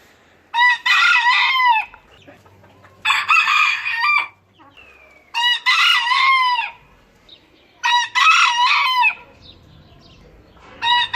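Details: Four rooster crows spaced about two seconds apart, each a raspy burst with a bending, falling tail, and a faint start of a fifth at the end.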